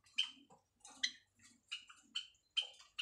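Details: White Java sparrow, a breeding pair kept at home and busy building a nest, giving a mating call: short, sharp chipping notes repeated roughly every half second, with soft low rustling between them.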